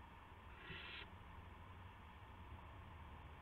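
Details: Owl carrying a gopher to another owl, March 18, 2016 at 8:00 PM; one harsh hissing screech lasting about half a second, followed by steady low hum.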